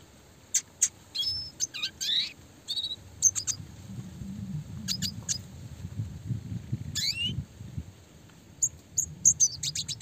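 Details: Red siskin chirping for songbird training: sparse high pips and short twittered clusters with several quick upward-sweeping notes, gaps between phrases, faint low rumble in the background.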